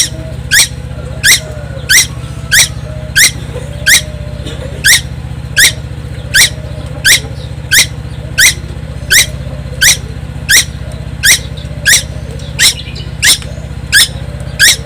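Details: A young tuwu from Timor Island sings nonstop, loudly enough to be noisy. It gives harsh, buzzy, downward-stepped notes repeated evenly about every 0.7 seconds over a steady low mechanical hum.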